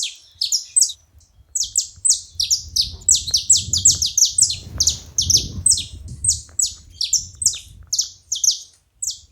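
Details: Saffron finch calling at a feeder, a dense, nearly continuous stream of high, bright chirps, each note slurring downward, overlapping in quick succession over a soft low rumble.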